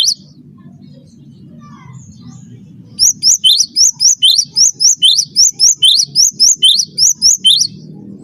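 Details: Cinereous tit master song for training birds: low background murmur, then an even series of about eighteen high, piercing, rising whistled notes at a steady fast rhythm.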